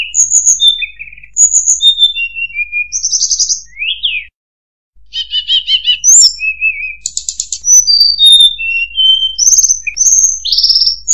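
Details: Tledekan (murai buluh) pouring out a varied song of high pure whistles, slurred glides and short rattling trills, many phrases falling in pitch, broken by one brief silence.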